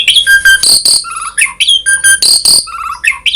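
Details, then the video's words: Asian pied starling in full, varied song, used as a lure to bring other starlings into song: loud whistled phrases, buzzy rattles and harsh noisy bursts in quick alternation. "Jalak Suren Gacor Full Isian ‼️ Variasi,Cocok Untuk Pancingan Suara Burung Jalak Agar Cepat Gacor"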